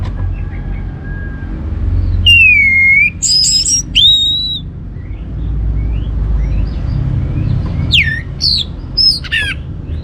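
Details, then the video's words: Orange-headed thrush singing as a lure for other songbirds: two bursts of loud whistled phrases, a sweeping slurred note and high trilled bits, then later quick rising and falling notes over steady low background hum. "ANIS MERAH Cor Suara Penggoda Membuat Burung Kenceng Jadi Ngeplong Lanjut Teler"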